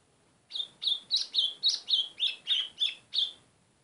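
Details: A white-throated seedeater calls persistently with eleven loud, short, high whistled chips that slur downward, spaced roughly three per second in a steady chain, with little else audible behind them.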